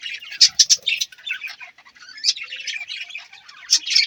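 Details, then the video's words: Budgies twittering with sharp high chirps at the start, then softer warbled chatter and a few loud squawks at the close. "Budgies chirping sound"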